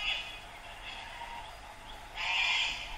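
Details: Flocks of sulphur-crested cockatoos perched on a dead riverbank tree on the Brisbane River at Yeronga, Queensland, on a balmy morning from dawn twilight to sunrise, give harsh, raspy screeches in a grating chorus; a louder, closer screech swells near the end.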